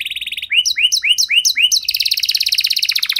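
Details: A singing canary, its song meant to spur silent canaries into song: a fast high trill, then a series of downward-slurred whistled notes about five per second, then a rapid buzzy trill.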